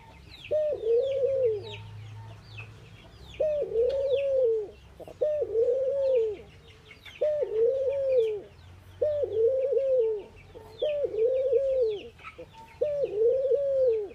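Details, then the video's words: Indian ring-necked doves cooing in the morning: a steady series of low, smooth, slightly arched coos, each about a second long, repeated roughly every one and a half to two seconds, with faint high chirping birds behind. "Ringneckdoves calling sound !! Indian Birds Dove morning activity Doves cooing"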